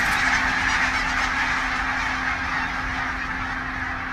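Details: Before sunrise on their southern Scotland wintering grounds, hundreds of wild barnacle geese surround a hide. They keep up a thick chorus of short, barking yaps that gradually softens toward the end.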